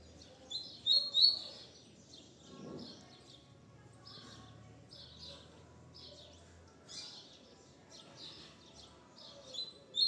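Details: Double-collared seedeater, called coleiro or papa-capim in Brazil, singing softly and at a distance: short, high, buzzy-whistled phrases repeated every second or so, with a faint murmur of voices low in the background.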